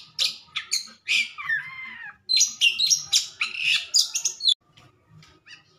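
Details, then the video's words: Caged white-rumped shama singing right after its cover is taken off, a rapid run of bright, scratchy high notes and warbled phrases, then a pause with faint soft ticks. "burung kacer habis buka krodong"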